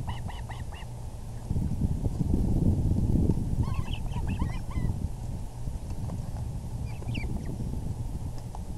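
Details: Osprey at the VGCC nest on April 6, 2020, 6:30 pm EDT, as the male brings a big fish; short bursts of rapid, high, whistled chirps come at the start, midway and near the end over a loud, steady low wind rumble.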